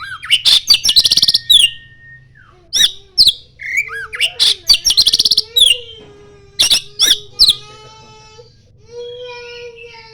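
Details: Oriental magpie-robin singing energetically, mixing in common iora mimicry: volleys of rattling clicks, sharp chips and hooked whistles, with a lower sustained whistled note running beneath and long level tones near the end.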